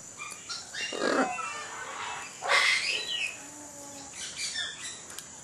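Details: Scarlet macaw (Ara macao) in Janda Baik gives two harsh, raucous squawks about a second and a half apart, over a steady high insect hiss and faint whistles from other birds.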